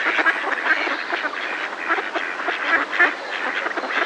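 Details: Close-up alarm calls from a flock of Mallards in a decoy: a dense, continuous chorus of overlapping nasal quacks, rapid and uneven, with no pauses.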